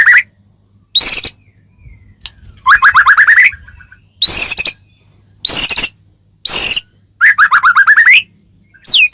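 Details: White-rumped shama used as a training song to make other shamas reply: separate bursts of rapid, harsh chattering phrases divided by short silences, over a faint low hum.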